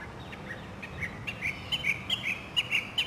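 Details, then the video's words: Northern mockingbird in a city neighbourhood in South Carolina, spring 2008, giving a run of short, clear chirped notes repeated about once a quarter-second, growing louder toward the end. "Voices of Spring: Mockingbirds"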